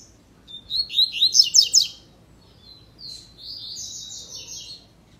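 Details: Double-collared seedeater singing the tui tui / zel zel song style: a burst of sharp, high sweeping notes that grow louder over about a second, a pause, then a softer buzzy rolling phrase, over a faint low hum.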